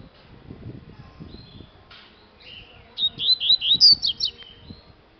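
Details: A home-kept double-collared seedeater gives a brief thin note, then a rapid run of eight or nine bright, slurred, high notes, with soft low rumbling and noises behind.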